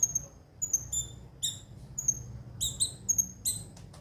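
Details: Sunbird known locally as konin, played as a lure to get birds singing: sparse, sharp high chirps and brief downslurred whistles separated by short pauses, over faint low rumble.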